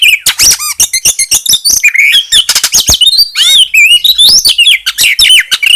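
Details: Bar-winged prinia song joined with magpie-robin song, for provoking other birds: loud rapid sequence of sharp chips, sweeping whistles and buzzy twitters, notes tightly packed with brief gaps, very high and varied.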